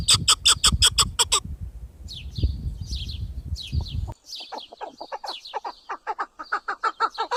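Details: Chukar partridge giving fast clucking notes for over a second, then a pause with a low background rumble, followed by quicker, thinner chirping notes that repeat rapidly to the end.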